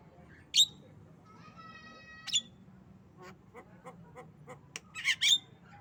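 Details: Javan myna, a tame bird, making coughing and laughing noises: loud rasping squawks, a brief buzzy tone, then a string of soft dry clicks leading into a burst of harsh, scratchy notes, with a low background hum.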